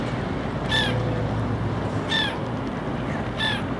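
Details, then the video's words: Noisy black-headed gull giving three harsh, grating calls about one and a half seconds apart, over a steady low engine-like rumble. "Noisy Black-headed Gull"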